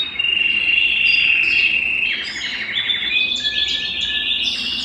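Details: A Belgian canary, singing to stimulate males and bring hens into breeding condition, delivers varied warbling phrases, sustained whistled tones and short trills, stepping between pitches in quick succession.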